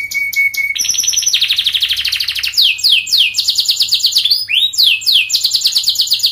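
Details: Canary singing long and fast to teach young birds to sing: a bright steady whistle, then buzzy rattling trills and sweeping down-slurred notes in rapid, varied phrases with hardly a pause.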